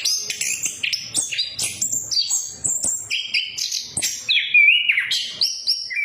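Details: Punglor, or orange-headed thrush, pouring out lure song to prompt quiet birds: quick-fire high chirps and whistles about four a second, with a smooth sliding whistle near the end.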